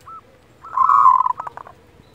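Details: Kerot call of a local zebra dove, meant to stir breeding desire and emotion in other birds. One short note comes first, then a rolling, gravelly burst that fades into a few separate pulses.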